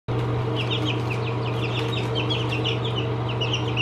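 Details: Seventeen-day-old chicks peep continuously: many short high cheeping notes overlap from several birds, over a loud steady low electrical hum.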